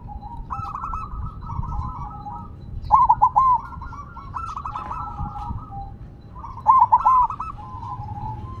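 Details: Silver zebra dove, set down on the ground, keeps singing: two loud, clipped three-note cooing phrases around four seconds apart, over a steady bubbling chorus of softer dove coos in the background.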